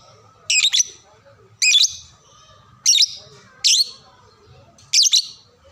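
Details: Lovebird calls played to teach young birds to sing: five loud, shrill, harsh chirps, each a quick double note, repeated about once a second, with faint murmuring in the background.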